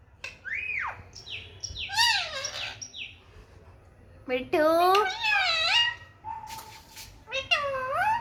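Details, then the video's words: In a happy mood and basking in sunshine, an Indian ringneck parakeet mixes high slurred whistles with drawn-out, nasal, speech-like phrases that bend up and down, separated by short pauses. "Talking parrot"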